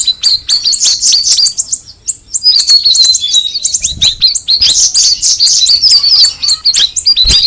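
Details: Cucak rawis song: quick high chirps, then a longer descending whistled phrase, followed by a dense burst of bright twittering notes.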